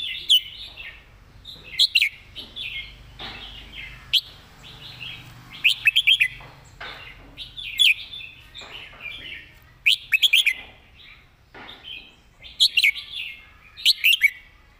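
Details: Red-whiskered bulbul singing a full master song, praised for fine phrasing and clearly enunciated notes: bright whistled phrases, each opening with sharp clicks, repeated roughly every two seconds against a quiet background.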